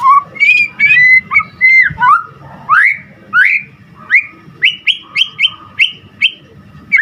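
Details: White-rumped shama delivering a lively, varied song: sweet looping whistles, then crisp rising notes repeated in quick, even succession toward the end, over a faint low hum.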